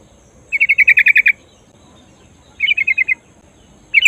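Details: Rolling 'ngerol' call of a female sooty-headed bulbul summoning the male: a quick run of about eight sharp, evenly spaced notes, a pause, then a shorter run of six, with a last burst starting at the end.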